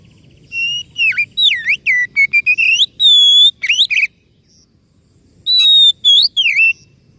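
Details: White-rumped shama song: loud, clear whistled phrases with rising and falling slurs and sharp upswept notes, in bursts separated by short pauses.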